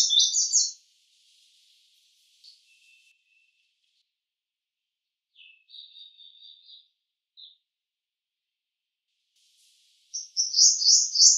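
A purple sunbird sings high, thin, rapid twittering bursts at the start and end, with a few softer, brief chirps in the quiet between.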